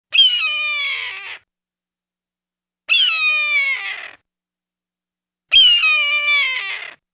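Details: Red-tailed hawk (Buteo jamaicensis), call.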